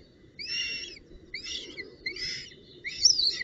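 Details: Northern goshawk at the nest with a branch and prey, 19 June 2018: four loud, harsh, nasal calls about one second apart, each a short rich buzzy note, the last one louder, over a steady low background hum.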